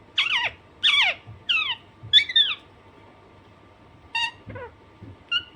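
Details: Pet Alexandrine parakeet, described as naughty, giving harsh harmonic squawks: four loud descending screeches in the first two and a half seconds, then a pause and a few shorter, fainter calls, indoors with a steady low hum.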